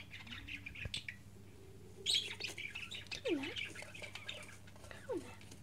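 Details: Budgerigar chick, 15 days old, walking, sitting, preening and scratching; scattered squawky chirps with a few quick downward-sweeping squeaks, over a low steady hum.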